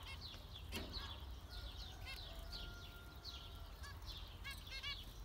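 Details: Zebra finch beeps, short and nasal, ring out now and then above ongoing high chirps and a faint low rumble.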